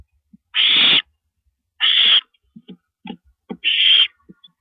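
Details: Owl at 1:27 AM on April 9, 2012, as a female downs a rabbit on a live cam; three strong rasping screeches, with short scratchy clicks and taps between the second and third.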